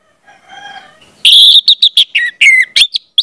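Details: Orange-headed thrush song played as a lure for training young birds to sing: a faint harmonic tone, then a loud, rapid run of varied sharp whistled and chattering notes, closely spaced, with brief gaps.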